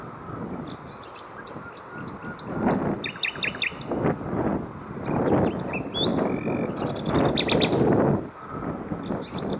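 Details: Common nightingales, one of three seen singing around 7 in the evening on a cycling trip between Hoek van Holland and Scheveningen: bursts of rapid repeated high notes and whistles over loud low rumbling background noise.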